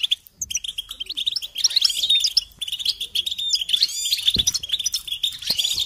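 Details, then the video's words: Goldfinch song used as a training recording for chicks and songbirds: a continuous, rapid, high twittering of liquid chirps and buzzy trills that runs almost unbroken after a brief opening pause. "Encouragement to motivate and support goldfinches in songs"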